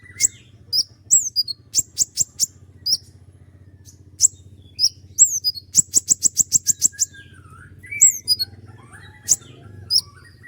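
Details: Actively singing common iora used to tutor other songbirds. Sharp high downslurred whistles build into a fast, tightly packed volley of about a dozen identical notes, with a constant low droning hum underneath.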